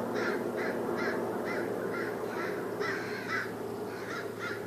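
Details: Crows mobbing a raptor give harsh caws repeated about twice a second in a steady series, over a loud constant low hum.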